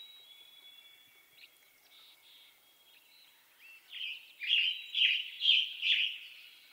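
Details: A western tanager sings five rough, buzzy phrases in quick succession near the end, after a stretch of faint thin whistles and soft chips from other birds.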